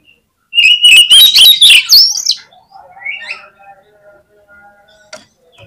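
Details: Oriental magpie-robin singing in full voice as a contest lure: a loud fast phrase of sliding whistles and crisp clicks lasting about two seconds, trailing into softer warbles and thin notes.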